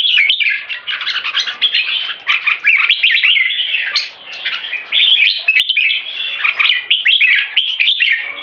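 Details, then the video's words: Red-whiskered bulbul display singing in cages in Singapore: a 3.5-year-old open-tail keke champion and an older six-year-old bird. Fast, liquid warbles and chattering phrases pour out almost without pause, with a few sharp clicks. Quiet background. "Super Keke Sing Display (Red Whiskered Bulbul - Jambul)"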